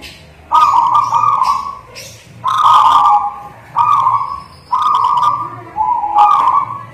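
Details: Local native zebra dove singing vigorously: five loud, rolling trilled coos near one pitch, each about a second long, separated by short pauses, with faint background noise.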